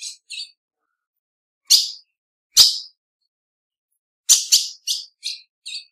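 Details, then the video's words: Female ultramarine grosbeak with scattered sharp chirps: two soft notes, two louder isolated calls a second apart, then a quick burst of five or six chirps with no other sounds. "FÊMEA DE AZULÃO - PIADO E CHAMADO"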